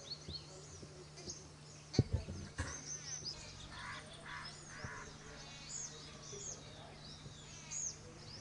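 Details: Jungle babblers (Turdoides striata), a gregarious group, give harsh, grating chatter in short bursts amid squeaky, high chirps from several birds, over a steady low hum and a few sharp knocks.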